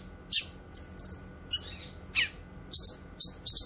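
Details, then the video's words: Cucak kinoy song used for training songbirds and luring wild birds: sharp high chirps and short whistled trills, some doubled, in scattered bursts over a faint steady hum. "Masteran suara burung CUCAK KINOY gacor cocok untuk masteran dan pikat"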